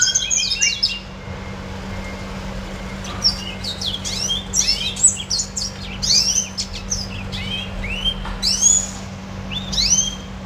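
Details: Red siskin kept as a pet, singing bursts of high chirps and curved upslurred notes, pausing briefly then resuming with quick twittering phrases, low hum throughout.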